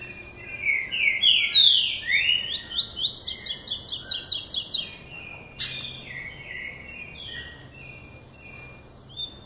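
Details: Caged Double-collared seedeater, a classic tui-tui singer, beginning to sing: a quick run of bright rising chirps that climb higher and speed up, then lower, slower slurred notes trailing off.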